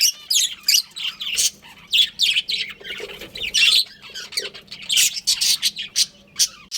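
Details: Budgerigar breeding pair kept indoors, chirping and squawking; bursts of scratchy notes come in quick clusters separated by short pauses.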